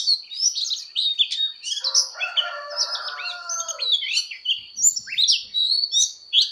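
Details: Oriental magpie-robin's fighting song in voice training: rapid high whistles and chirps, with a lower, harsher buzzy sound overlapping for about two seconds midway. A constant thin high tone persists.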